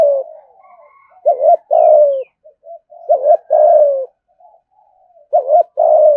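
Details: Caged ornamental spotted dove cooing in the thúc gù style. Three phrases, each made of a short stuttered double note and then a drawn-out, gently descending low coo, with quiet murmuring notes in the gaps.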